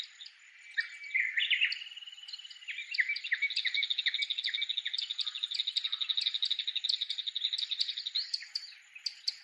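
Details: Bull-headed shrike (mozu) singing with a unique voice while waving its tail near an ancient Japanese castle site. Varied whistles and slurred notes open into a fast, chattering run of high, sharp repeated notes, about four per second.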